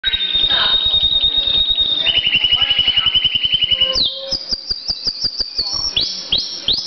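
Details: Pet canary singing indoors: a long steady whistled note, then a lower buzzy trill of rapid repeated notes, then quick high chirps sliding downward in a varied sequence.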